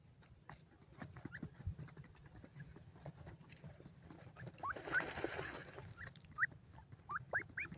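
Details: Dakhni teetar francolin chicks in a happy mood give short, thin rising peeps: a few scattered notes, then a quick run of three near the end. Steady rustling and handling noise runs throughout, with a brief hissing burst midway.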